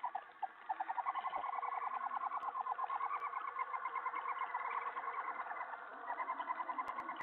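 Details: Owl at night, 3:10 AM on July 31, 2017, bringing a mouse in the twelfth of sixteen food deliveries; a long, continuous stream of fast, rhythmic twittering notes, briefly easing and then resuming.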